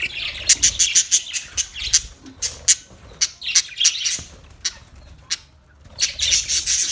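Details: Budgerigars giving rapid runs of sharp, clicking, high chirps, several per second, mixed with warbled squeaks, then a short lull and another lively burst.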